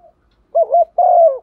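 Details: Captive female spotted dove used as a lure, cooing in the morning to draw males: a quick wavering two-part coo then a sustained, gently falling coo, clear and close.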